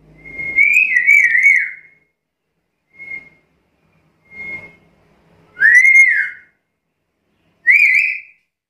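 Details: Series of black-capped lory whistles: a long wavering phrase, two short soft pure notes, then two loud falling-rising slurred whistles about two seconds apart, with faint background clatter.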